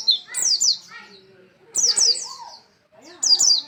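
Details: Energetic pleci, or Oriental white-eye, singing three loud bursts of sharp, high, downward-slurred twittering notes, each burst trailing into softer lower warbles, with a brief quiet pause between phrases.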